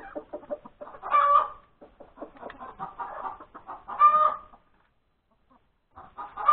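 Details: Domestic hen calling after laying an egg, recorded on a Sunday morning, 31 January 2021, at breakfast time. She gives rapid clucks, broken by loud, drawn-out squawks repeated every few seconds.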